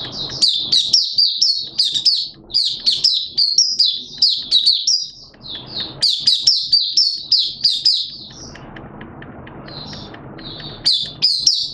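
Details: Malaysian Oriental white-eye, a hobby song bird, delivers lively high twittering in long runs, pausing briefly midway and near the end while a low hiss fills the gaps.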